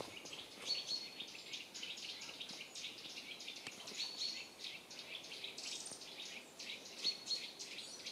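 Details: Wild birds in the Wyre Forest woods, Worcestershire, England, in autumn 2016: faint, brief high whistled notes repeated a few times over a steady hiss of distant chirping and woodland ambience.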